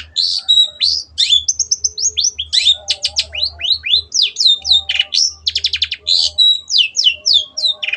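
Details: Long-tailed shrike in full, busy song for training other shrikes. Rapid notes slide up and down, with whistled sweeps, buzzy trills and sharp clicks tumbling together over a low background hum.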